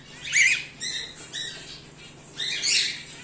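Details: Harsh screechy calls from home-bred cockatiels (whiteface emerald, exhibition grey male): a loud rasping squawk, two softer clipped notes, then a longer grating call near the end, with a low background hum.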